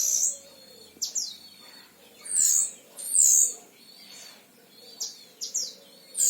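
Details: Caged oriental white-eye, an actively singing tutor bird from Central Java. Gives sparse, very high whistled notes, several sharply downslurred, spaced about a second apart with quiet gaps between.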